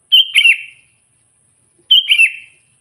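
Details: A lively sooty-headed bulbul singing to challenge wild bulbuls, natural voice only: two chirpy gurgling phrases under two seconds apart, each opening with a bright note and ending in a short fading warble.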